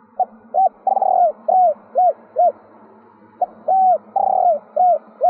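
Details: Female spotted dove giving its stuttering three-ending coo to rouse males, two phrases of short coo, rattling long note and three hooped notes over a steady low hum.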